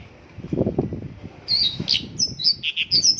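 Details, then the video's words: Mongolian lark in isian lokalan song, packed with local bird phrases, starting after a low muffled bumping sound with a few high whistles and short buzzy notes separated by brief gaps. "Mongolian lark isian lokalan"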